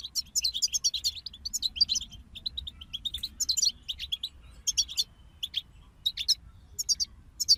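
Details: A group of European goldfinches singing, offered as motivation for other songbirds: rapid bursts of bright, tinkling twitters and buzzy trills, broken by short pauses, with overlapping voices and faint low background hum.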